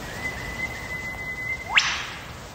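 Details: Wild lyrebird in Megalong Valley, Blue Mountains, Australia: a long, steady, thin whistle held level for over a second, ending in a sudden loud whip-like crack that sweeps sharply upward.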